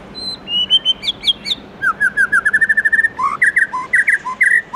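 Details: In the morning a White-rumped shama gives 'forest voice' song: high whistles falling into a quick stuttering series of repeated notes, followed by varied dipping and rising whistled phrases, clear and continuous.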